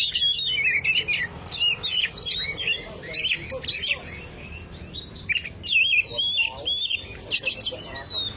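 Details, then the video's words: Oriental magpie-robin song used to stimulate a silent bird: bursts of varied whistles and twittering, quieter mid-section with softer notes, then louder slurred phrases resuming. "Pancingan kacer macet // PANCINGAN bunyi burung kacer macet."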